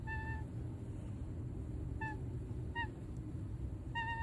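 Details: Male toucan giving gentle little honks: four short, nasal, tonal notes with bright overtones, the first longest, spaced about one to two seconds apart over a steady low background rumble.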